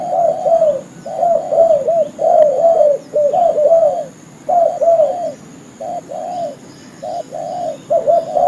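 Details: Trapping lure call of a spotted dove: repeated low, soft cooing phrases, at first tightly packed, then shorter and more widely spaced.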